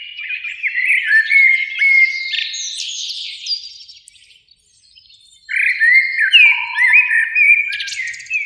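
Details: Two bursts of warbling, fluting song from a Eurasian blackbird in a spring beech tree near a lake at evening, split by a silent pause of about two seconds, with a low steady whistle in the second burst.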